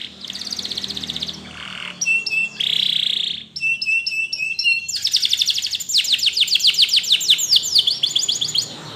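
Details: A Spanish Timbrado canary's training song: a rapid buzzy trill, clipped metallic notes over a steady whistle, a harsh roll, then accelerating series of sharp falling strokes to the end.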